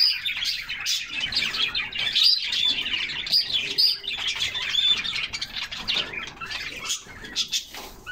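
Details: Canaries in a group singing while splashing in a refreshing summer bath; busy high chirps and warbled phrases overlap, with a few clear whistled notes standing out and short gaps as the chorus dips.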